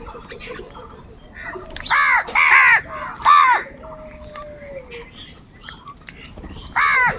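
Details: Crows fighting over food: three loud, harsh, nasal caws close together, each arched and ringing, then a pause and one more caw near the end; a thin whistled note and chatter of other birds in between.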